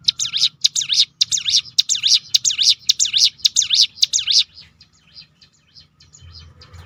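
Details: Ciblek gunung prinia firing its 'tembakan' roll to provoke singing in other birds: a string of high sweeping zigzag notes for over four seconds, then fading to faint thin chirps.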